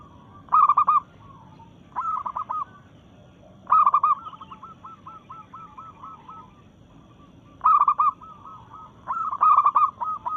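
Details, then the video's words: Local zebra dove, a keen singer in breeding mood, challenging rivals. Loud stuttering coos recur in bursts about every two to four seconds. Softer, fast-rattled coo phrases from another dove fill the gaps. "Perkutut Lokal Gacor SUARA menantang lawan"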